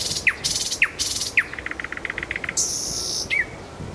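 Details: Nightingale in Kuzminsky forest park: three loud down-swept whistled strokes, then a quick run of short clicking notes, a hissing buzzy note and a final slurred whistle.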